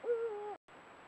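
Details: A single drawn-out nasal note from a pair of Eurasian eagle-owls at sunset, recorded by a camera trap. It holds steady, then sags slightly before cutting off abruptly.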